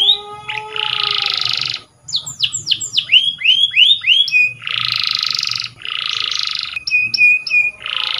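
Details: Canary song for training with repeated harsh buzzy bursts, a run of rising chirps and downslurred whistles, and short metallic notes between the buzzes.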